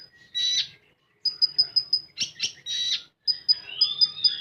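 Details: Common iora singing in a 'full tembakan' style: bursts of buzzy, rough phrases alternate with rapid series of sharp, high chipped notes, five or six in a row, with brief silent gaps between phrases.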